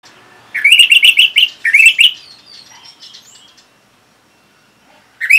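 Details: Orange-headed thrush song used as therapy to prompt other birds to answer: a loud burst of quick, bright, repeated chirping notes, then softer twittering, with another sharp phrase starting at the end.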